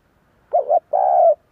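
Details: A single spotted dove coo phrase for luring others to call: a wavering two-part note followed by a sustained, steady coo.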